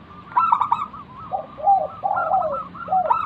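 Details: Local zebra dove singing as a lure to draw replies from other doves. Staccato coo bursts alternate with lower, drawn-out rolling coos, the phrases following closely one after another.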